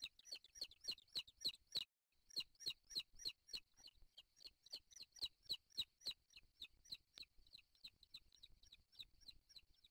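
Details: Booted eaglets in a wild nest begging during feeding, the father having brought in a bird, 3 July 2023. Steady series of thin, high, falling peeps repeated several times a second, with one short gap.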